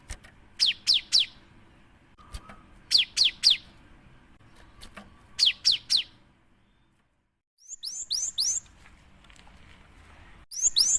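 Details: Cinereous tit in full song as a lure for other birds: repeated triplets of shrill falling whistles every two to three seconds, later shifting to hooked high notes, with a brief low whistle and clicks.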